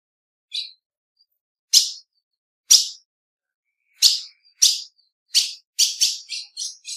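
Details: Female ultramarine grosbeak uttering sharp high chips, first spaced more than a second apart, then quickening into a rapid run of six softer notes at the end; no other sounds.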